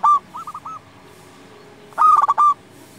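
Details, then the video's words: Local zebra dove song used to make rivals sing back: a brief loud coo, then three soft rolling coos, a gap, and a loud phrase of fast stuttering notes ending in a sustained coo. "Perkutut lokal gacor SEKALI PUTAR suara ini 100% Bikin lawan gacor nyaut"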